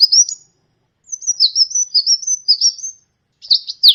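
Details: Sunbird, called kolibri ninja, a champion bird whose song trains other cage birds: a brief high chirp, a long twittering run of slurred notes, then a sharp closing burst.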